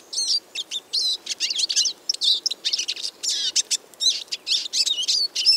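A Eurasian siskin sings a fast, continuous jumble of high twittering notes, buzzy trills and thin slurred whistles, with brief pauses between phrases.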